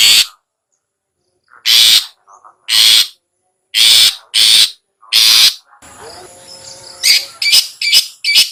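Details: Long-tailed shrike in the harsh ngetet style, used as a lure to prompt sluggish captive shrikes to sing: loud, rasping bursts of about half a second with pauses, then a faint tonal passage and quick clipped rasps.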